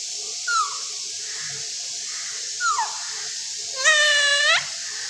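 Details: Talking Alexandrine parakeet (raw parrot): a few brief harmonic utterances, then a longer, strongly harmonic, squawky speech-like sound near the end, over a steady background hiss.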